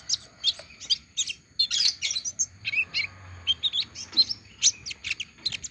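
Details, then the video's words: An olive-backed sunbird that has just finished moulting sings a busy run of very high, sharp chirps and thin twitters, about two bursts a second, over a faint low hum. "Kolibri ninja selesai rontok masih mau bunyi"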